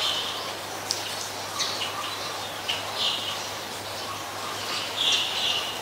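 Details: Black-collared starling calling on a rainy day in Ubon Ratchathani, Thailand, 15 October 2021: short, sharp high notes and squeaky bursts at irregular intervals over a steady hiss of rain.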